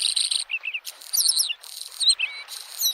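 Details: Singing Bluethroat beside a spring lake: a jumble of high buzzes, lower whistled slurs and rapid metallic chirps, each phrase changing quickly, with water murmuring underneath.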